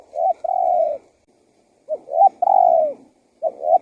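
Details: Spotted dove calling as a lure for wild doves: clear phrases of a short note leading into a long, steady, slightly falling coo, repeated about three times.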